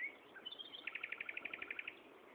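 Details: Common nightingale singing at Gaasperzoom on 16 May 2012 in mid-afternoon: thin high introductory notes, then a rapid rhythmic trill of about fourteen loud repeated notes, roughly ten per second.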